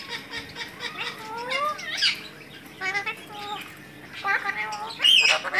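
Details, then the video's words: A talking Alexandrine parakeet chatters in a mimicked, speech-like voice, with rising and falling syllables between harsh squawks, ending in a loud shrill burst. "Alexandrine parrot talking"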